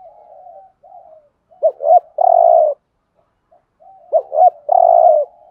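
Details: 'Thúc gù' cooing of a spotted dove in the 'giọng Thổ' voice, used as a trapping decoy: soft low murmurs, then two clipped notes and a long even coo, the phrase repeating after about two seconds.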